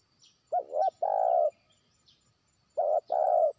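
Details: Trained spotted dove used as a decoy, calling out to a distant rival; two clear coo phrases, each a short double-note followed by a longer rolling coo, about two seconds apart, with faint high chirps in the background.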